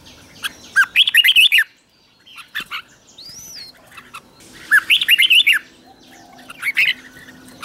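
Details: Red-whiskered bulbul lure song used to call in wild birds: two bursts of rich, warbled whistled phrases sweeping between low and high notes, separated by a quiet gap with a single rising-falling whistle.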